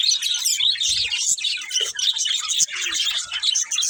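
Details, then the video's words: Budgies chattering nonstop, a bright jumble of quick chirps, squeaks and warbled notes overlapping throughout, with a few soft low thumps underneath. "Cute Budgies Chirping Sounds"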